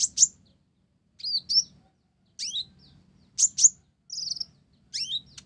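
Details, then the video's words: Olive-backed sunbird in full song, its song filled with Java sparrow phrases: sharp high chips and downslurred notes in short bursts about every second, separated by silence. "Konin Blorok Gacor isian Gelatik"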